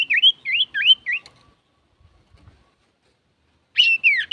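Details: Male common iora (cipoh, sirtu) singing energetically, used to provoke other birds: four quick upslurred whistles in a row, a pause of over two seconds, then two more rising-and-falling whistled notes.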